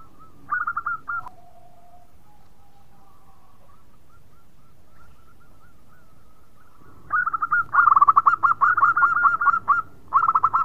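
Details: Zebra dove of a local strain cooing: a short burst of coos, then soft, lower, drawn-out notes and a long quiet stretch, followed by loud, rapid rolling coo trills in the final seconds.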